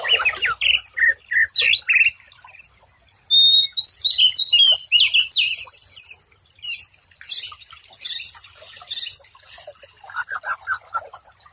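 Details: White-rumped shama song for training and soothing stressed birds that stopped singing: short chirps, then a loud tumbling phrase of high whistles, followed by a series of sharp, buzzy repeated notes about once per second.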